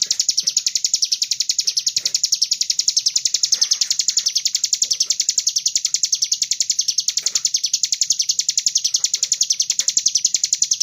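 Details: Sunbird (kolibri ninja) song used as a lure to draw other sunbirds into singing: a fast, unbroken stream of high, sharp chirps, about eight a second, evenly paced throughout, with no other sounds.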